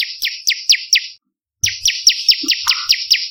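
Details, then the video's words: Lure song of an olive-backed tailorbird for attracting and training birds: high falling notes repeated quickly, a short burst, then a pause, then a longer run. "Masteran Tembakan Variasi Prenjak Lumut - Pancingan Suara Pikat Prenjak Kepala Merah"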